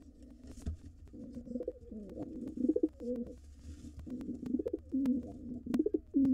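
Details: Wild rock pigeons at their nest box, a white male joining a gray female and their young nestlings; low, throaty rolling coos come in bouts, with brief thumps and shuffling between them.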